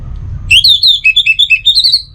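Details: Orange-headed thrush singing, played to set other birds singing morning and evening: a rapid, varied string of high whistled notes, slurred up and down, about a dozen in under two seconds, over faint low background rumble.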